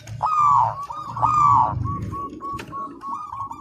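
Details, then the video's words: Local zebra dove song used as a master recording for training: two long mellow cooing notes followed by a series of short clipped coos repeated about once a second, over a low rumbling background. "Perkutut Lokal Gacor, Masteran Anti Gagal"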